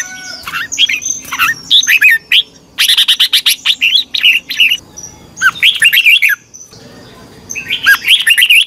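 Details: Red-whiskered bulbul competition singing used to train birds: loud bursts of rich, twisting whistled phrases swooping between high and mid pitch, in several clustered strophes with brief pauses and a faint high hiss behind.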